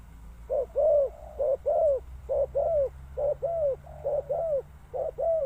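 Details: Spotted dove calling loudly and close, a run of hollow, arched coo notes in paired and triple groups, roughly one phrase a second, over a faint low hum.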